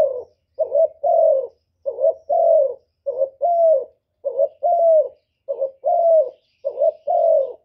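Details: Spotted dove song: repeated two-part coos, a quick soft note leading into a longer, slightly descending hoot, evenly spaced about one per second in otherwise silent surroundings.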